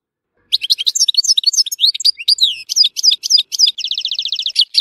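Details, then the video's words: Continuous high-pitched warbling from a European goldfinch in Tissemsilt, mixing slurred whistles and chattering notes, ending in a fast rattling trill and a final twitter. "تغريد حسون تيسمسيلت"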